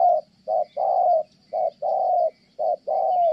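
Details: Spotted dove in Kon Tum, Vietnam, used for trapping, cooing steadily: a clipped note followed by a longer mellow coo, the pair repeated roughly every second in a regular rhythm.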